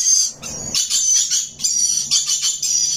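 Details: Rainbow lorikeet parrot singing in rapid, piercing high chirps in uneven bursts, with a faint low hum behind.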